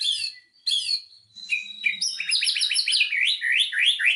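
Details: Lure song of a white-rumped shama, aimed at getting a stalled shama to sing: a few high descending phrases, then a dense, fast cascade of looping whistled notes that continues to the end.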